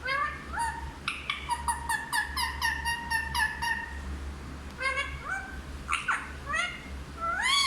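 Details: Hindi-speaking talking parrot runs off a rapid series of evenly spaced clipped notes for about three seconds. Rising, voice-like phrases follow, the last one swelling loudest.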